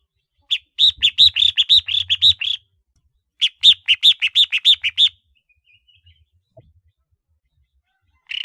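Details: Decoy red-whiskered bulbul showing a collar marking, pouring out two lively bursts of rapid, chirpy, rising-falling whistles, roughly three notes a second, followed by quiet and the start of another note.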